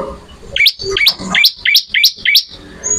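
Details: Bar-winged prinia (ciblek) singing actively, recorded as training material for songbirds: six sharp, steeply rising chirps in quick succession, about one every third of a second, followed by a thin high whistle at the end.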